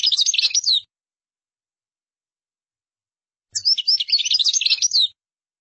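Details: Song of a European goldfinch used for tutoring other birds: two dense bursts of quick, tinkling twitters, each under two seconds, separated by a quiet gap.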